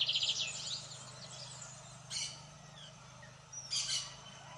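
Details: Lined seedeater song: a short, fast, high trill at the start, then two brief buzzy bursts about two seconds apart, over a faint steady low hum.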